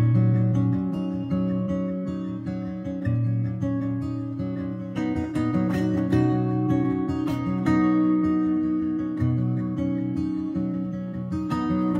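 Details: Only strummed acoustic guitar music is heard, with steady plucked chords and no animal voice.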